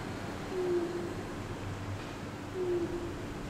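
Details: At about 8 at night a bird perched on top of a building, a penguin-like silhouette, gives short low hollow notes, two in the clip roughly two seconds apart, over a steady low hum.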